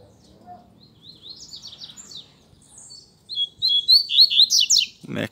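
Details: A coleiro, the Double-collared Seedeater, sings in the bush during a luring session: soft, scattered high chirps build into a loud, rapid string of bright whistled notes that rise and fall, ending in a brief thump.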